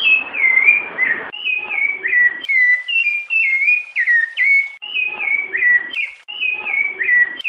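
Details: Rufous-bellied thrush (Turdus rufiventris) sings clear, mellow whistled phrases of short slurred notes, each falling slightly, repeated with brief pauses; the recording is said to contain female calls.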